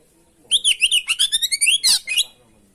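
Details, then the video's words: Lure song of an oriental magpie-robin singing vigorously: a rapid, rolling string of about a dozen clear whistled notes, looping up and down, ending with a harsh burst and a final slurred whistle. "masteran pancingan burung kacer gacor isian bongkar"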